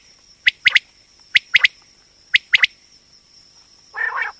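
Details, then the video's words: Female common quail (batair) calling for hunting use: three crisp, clipped notes in a fast triplet, given three times at regular intervals, then a brief burst of rough, noisy sound at the end. "common quail hunting sound//batair ki awaz"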